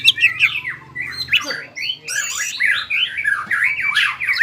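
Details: Greater green leafbird, excited by breeding urge, in ngobra and jamtrok song: harsh, scratchy squawking notes mixed with rising and falling slurred whistles, delivered in a dense continuous stream.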